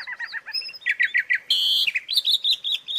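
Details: Asian pied starling training song: quick warbled notes, a run of mid-pitched chattering phrases, one harsh raspy note about half a second long, then high whistled chirps.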